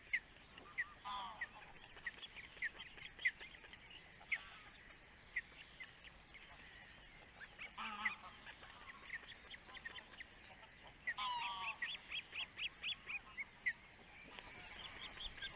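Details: Osprey father at the nest, filmed by a webcam in the Netherlands: scattered single whistled chirps, then a dense burst of quick repeated piping notes for about two seconds, with occasional lower squeals and faint background noise.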